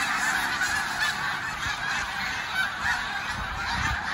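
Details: Flyover of a Snow Goose flock on the Eastern Shore, many birds honking at once in a thick, continuous wash of yelping calls with small swells in loudness.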